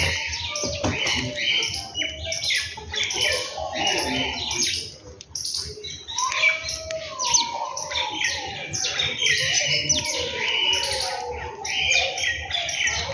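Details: A morning chorus of birds around a home: busy, high twittering and sharp repeated chirps, with a brief quieter stretch midway and faint voices behind.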